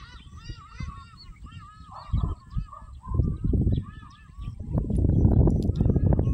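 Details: A grey crowned crane foraging in an open field in East Africa gives quick runs of nasal, honking calls that rise and fall, several per second, over low wind rumble and ground noise.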